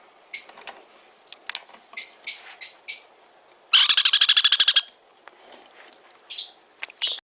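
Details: Hand-fed sun conure chick in a Fukuoka, Japan pet shop: series of short high squawks, a fast stuttering run of about fifteen harsh pulses in the middle, then more single squawks.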